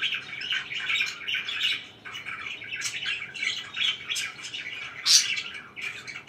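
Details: Several pet budgies chirp and warble indoors, rolling scratchy phrases with scattered piercing squeaks, one sharp high note standing out near the end.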